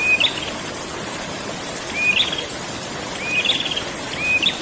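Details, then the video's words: Prinia in rolling ngerol song, repeating a whistled note that rises sharply into a short trill about every second, over a constant hissing background. "burung prenjak ngerol"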